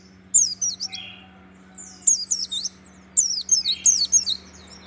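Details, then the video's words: White-eye of the Merapi type, kept caged, singing in rapid clusters of very high, twisting chirps and trills, three bursts separated by short pauses, over a constant low electrical hum. "pleci dakun merapi tembakan syahdu"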